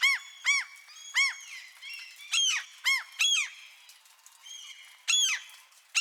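Gulls give harsh, nasal squawks in short bursts, several birds overlapping, with a soft hiss of light rain underneath.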